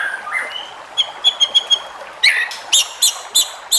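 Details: White-rumped shama song used to prompt other shamas to sing: a brief whistle, a few thin high tones, then a string of about six loud, harsh repeated notes.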